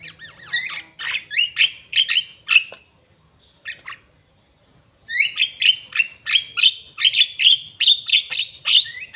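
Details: Asian pied starling singing in two bursts of harsh squawks and rising whistles, separated by a nearly silent two-second pause, the second run fast and continuous.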